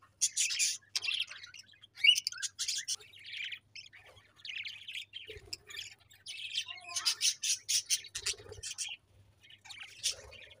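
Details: Pet budgies trading quick high chirps and raspy chatter in uneven bursts, some notes bright and squeaky, with gaps of near silence between groups.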